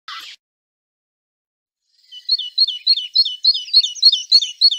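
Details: Great tit giving one of its varied calls: a brief buzzy burst, then after a pause a fast, regular run of high, sharp two-note chips, about three or four per second.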